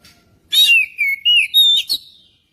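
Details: Magpie-robin song used to prompt singing: a harsh burst opens into a sequence of clear, slurred whistles, four loud notes within two seconds, ending with a short scratchy note.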